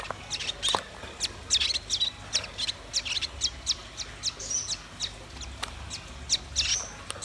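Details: Velvet-fronted nuthatch and white-rumped shama in vigorous song: a steady stream of sharp high chirps and ticks, several per second, with occasional short high whistles woven between them.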